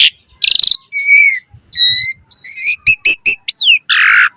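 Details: Varied 'gacor' song of an Asian pied starling meant to prompt other starlings to sing: a rattling trill, a low slurred whistle, ringing steady whistles, a quick series of sharp clicks and a falling whistle, ending in a harsh burst.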